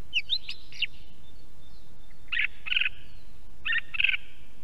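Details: Song thrush singing in Estonia near an osprey nest camera: short scratchy double notes repeated in pairs, with a few sharper notes at the start, over a noticeable hiss of background noise.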